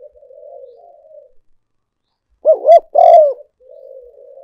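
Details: Decoy call of a spotted dove for luring birds: soft murmured cooing, then a loud burst of two short coos and a longer falling coo, then quiet murmuring again.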